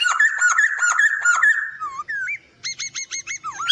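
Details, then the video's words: Captive white-crested laughingthrush song used as a master recording for training birds; repeated ringing whistled notes, then looping slurred whistles and a quick run of rising chirps. "Masteran Poksay Hongkong Gacor"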